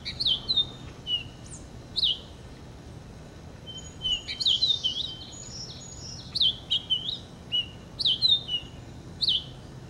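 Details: Purple finch singing: bright, high whistled notes with quick downward slurs, given in short bursts every second or so, with a denser warbled run near the middle, over a faint steady background hiss.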